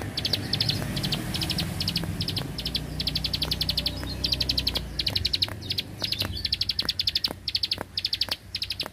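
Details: Rice-field bar-winged prinia in rapid 'bren' song: short bursts of fast high clicking notes in a steady series over a low rumbling background noise and scattered sharp clicks.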